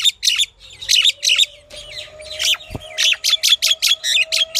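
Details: Varied chattering from a pied myna: scratchy squeaks and clicks, then a rapid run of sharp, harsh notes, over a faint steady low tone.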